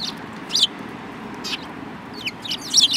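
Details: Sparrows on 7 March 2018, one with a yellow beak among them; a few sharp, bright chirps in quick pairs and clusters against a faint, constant background hum.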